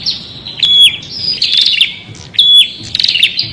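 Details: Prinia song of bright, high whistled notes with quick stepped pitch drops and buzzy trills. The bird sings a few rapid phrases with short gaps, with no other clear sounds.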